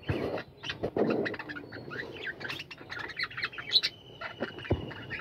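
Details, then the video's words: Captive budgerigar colony in a flight aviary, many birds calling at once: dense overlapping chirps, squawks and warbled notes, with low soft thumps of wingbeats or movement near the start and around the first second. "বাজরিগার পাখির কলরব ও গান"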